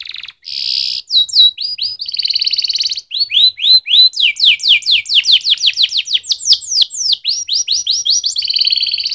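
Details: Canary pouring out a continuous rapid song of sweeping upward and downward chirps and fast trills, repeated several times a second, loud and clear.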